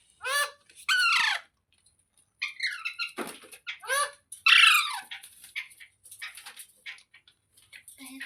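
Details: Natural talking sounds from a green parrot: several loud, ringing calls sliding downward, interspersed with quick clusters of short chirps and squeaks, a soft thump, and a thin high hiss running through the later part.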